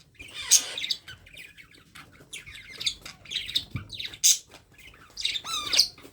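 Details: Young parrot squawking while being hand-fed: repeated harsh, noisy high-pitched squawks and chirps, several per second at times, ending with a rising-falling strained call.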